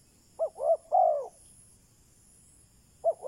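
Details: Decoy spotted dove luring wild birds with a low three-note coo, two quick notes then a longer downward-sliding coo, after which a new phrase begins.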